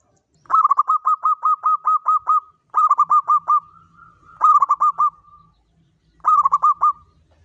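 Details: Zebra dove, local type, giving its lure song in Mataram pakem rhythm: four phrases of rapid bubbling coos, the first long with about ten notes, the later ones shorter, in a quiet setting.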